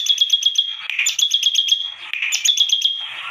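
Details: Bar-winged prinia singing energetically, its song described as strange, delivering fast trains of bright clicking notes stacked on a sustained high whistle, three bursts in quick succession.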